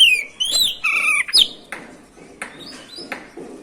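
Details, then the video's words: Oriental magpie-robin (kacer) singing nonstop in the 'ngerol' style as a lure to provoke other kacer: clear whistled notes and warbles up front, then a string of short sharp chips spaced about half a second apart. "PANCINGAN SUARA BURUNG KACER GACOR NGEROL BIKIN KACER LANGSUNG EMOSI‼️"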